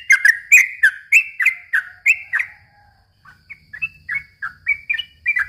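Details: Yellow-vented bulbul singing in the long, lively "gacor ropel" style, used as a lure for young birds: quick bubbly whistled notes in a rapid run, a short pause near three seconds, then a second, slightly higher series.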